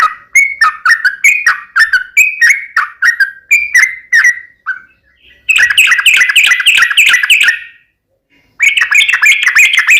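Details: Sooty-headed bulbul in vigorous 'gacor tarung uplik ropel' song. A quick string of two-tone whistles gives way to dense, buzzy, rapid chattering bursts. A short silence separates the bursts.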